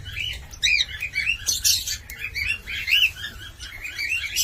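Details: Cockatiel giving a busy run of whistled chirps, many notes rising and falling in quick succession, with a few sharp clicks and a faint low background hum.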